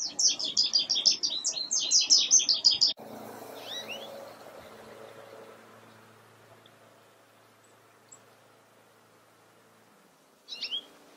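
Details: Goldfinch song beside window flower boxes where the birds eat cosmos seeds: three seconds of fast, jumbled twittering, then near quiet with a couple of soft notes and a brief final chirp.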